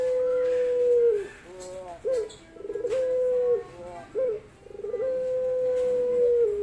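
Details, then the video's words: Male dove of the pelung type, a member of the pigeon family, cooing to court a female. Long, steady, hollow tones held about a second each, falling slightly at the end and broken by short clipped coos. Low background hiss. "Rintihan Pelung Jantan Mencari Betina"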